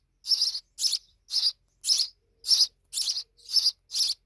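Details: Eight loud, raspy chirps from grown sparrow babies, evenly spaced about half a second apart, each a broad noisy burst.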